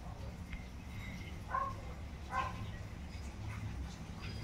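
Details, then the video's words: Young tinamous, black tinamou (inhambu-preto) and sururina chicks: a few brief bright peeps spaced roughly a second apart, with fainter notes between, against constant low-pitched background hum. "filhotes de inhambu Preta, Sururina e Inhambu preta."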